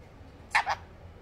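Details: Pet female sun conure, said to speak phrases such as step up, what and peekaboo while interacting with its owner; two short, harsh, raspy syllables in quick succession against a quiet indoor background.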